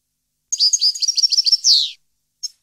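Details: A European goldfinch in 2015 delivers a short, lively phrase of rapid liquid twittering notes that ends in a loud buzzy slur dropping in pitch, followed by one lone chirp.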